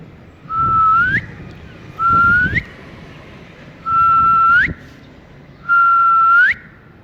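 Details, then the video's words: Talking ring-necked parakeet enjoying cool weather: a clear whistle held on one steady pitch, then sweeping sharply upward at the end, given four times at roughly two-second gaps, with faint low rumbling between. "Ring Neck Parrot"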